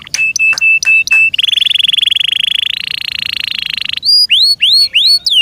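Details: Caged canary, Serinus canaria, singing: several sharp chips on a steady tone, a long rising buzzy trill held for about three seconds, then a series of looping upward whistles.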